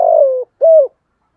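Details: Spotted dove singing in the 'giọng thổ' voice style: a long, low, steady coo slightly falling in pitch, a brief pause, then a shorter arched coo. Quiet background.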